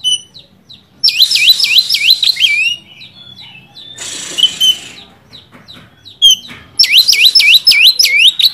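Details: Oriental magpie-robin song used to provoke and rouse a rival bird: bursts of rapid, looping high whistled notes repeated in quick runs, separated by a short buzzy rasping phrase and scattered thin chips.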